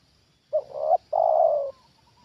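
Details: Spotted dove, a trained decoy bird, calling at a wild bird brought down a second time: one phrase of a short rising note, a rough two-part coo, then a long, even, hoarse coo.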